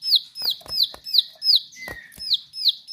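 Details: Bar-winged prinia singing in a lively, sharp 'nembak' style: a steady series of high, bright downslurred notes, about three per second, broken by sharp dry clicks.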